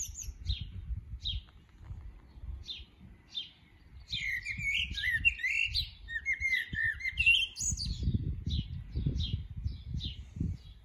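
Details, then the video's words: Common blackbird singing beautifully: a mellow, fluty warbled phrase midway, surrounded by short high chirps repeated about twice a second, over a low rumble of wind. "Koltrast som sjunger vackert!"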